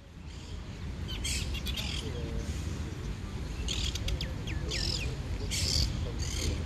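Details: A monk (quaker) parakeet sunbathing gives harsh, scratchy squawks in short bursts every second or so, mixed with thin chirps, over a steady low rumble.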